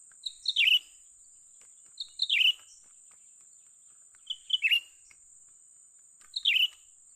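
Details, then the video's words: Young cucak ranting bulbul recorded while being lured during bird trapping: short chirped notes dropping from high to lower pitch, in clusters about every two seconds, with a steady high electronic whine behind. "memikat burung cucak ranting muda mantap"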